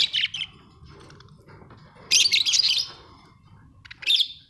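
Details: Budgies kept as pets at home: buzzy chirps, then a long rapid scratchy warbling chatter, ending with one more harsh chirp.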